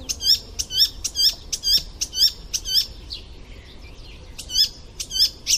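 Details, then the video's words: ['Icterine warbler repeating one bright, sharp chirping phrase about twice per second, broken by a softer, scratchy warbled passage before the repeated phrase returns.'] "Masteran Suara Burung Icterine warble Gacor Full isian"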